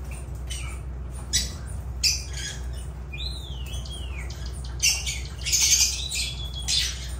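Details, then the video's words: Agapornis lovebirds call with scattered harsh shrieks, a clear whistled note that rises then falls in the middle, and a busy burst of overlapping squawks near the end, over low hum. "Agapornis love birds sounds"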